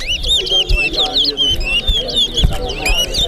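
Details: Towa towa (large-billed seed-finch) competing in a Corriverton singing contest: rapid run of sweet whistled, looping notes repeated about twice per second, with a man counting numbers in the background.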